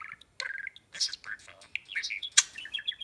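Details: Pet talking budgie chattering as it meets a new bird companion for the first time indoors: bursts of short high chirps and scratchy warbled notes, with brief gaps between phrases.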